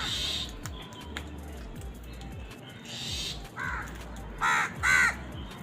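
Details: Angry crows fighting for food give short harsh caws, three bursts clustered in the last two seconds, after a stretch of low background noise and faint clicks.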